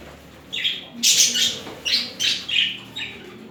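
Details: Budgerigar pair mating, courting each other: a series of sharp, high chirps, each about a third of a second long and spaced by short gaps. A few notes rise and fall quickly.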